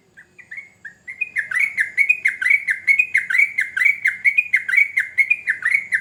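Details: A sooty-headed bulbul's long rapid 'ropel' song, meant to provoke other bulbuls to reply: a few separate whistles, then a steady chattering run of bubbly notes, about one per second-fifth, loud and continuous.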